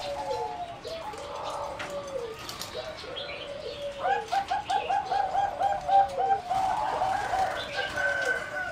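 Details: Singing zebra dove of a competition breeding line, kept in an aviary, 30 April 2014: soft slurred coos at first, then a fast run of clipped, bubbling notes swelling in the second half.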